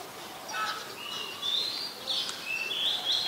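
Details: Black-collared starling (Black-collared myna) recorded at Ubon Ratchathani, Thailand, on 12 July 2020: a varied run of whistled and squeaky notes, some drawn-out and slurred, others short and harsh, over a steady background hiss.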